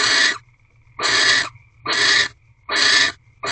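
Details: Barn owls at their nest box on the fourteenth night of courtship, 3 March 2023 in the evening; loud, breathy rasping hisses repeat about every 0.8 seconds, separated by a faint whining tone.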